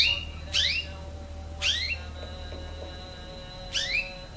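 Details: Canary aged nine months and still learning its song gives three separate descending swept chirps, with a steady thin high tone and a low hum in the background.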